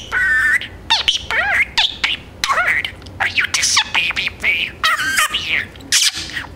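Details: A talking pet male budgerigar imitates human words in a fast stream of squeaky, warbled syllables, broken by short pauses and squawk-like bursts.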